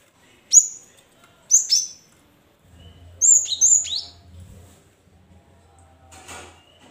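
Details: Cinereous tit in captivity, recorded to encourage other caged birds to sing: separate high whistled phrases, two single slurred notes followed by a doubled pair, with low humming background noise and a brief rustle near the end.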